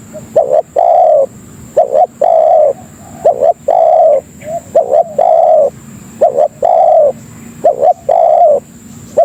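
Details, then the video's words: Tekukur, the spotted dove, giving a lure call meant to draw in other doves: a quick double note leading into a drawn-out, mellow coo, repeated about five times, with a faint constant electronic whine behind. "Suara Burung Pikat Tekukur Paling Ampuh Untuk Masteran dan Pikat Memanggil Kawan"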